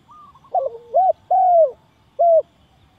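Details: A spotted dove coos as a lure for trapping, giving a brief stuttering pair of notes, then a long falling coo and a final short coo, loud and distinct.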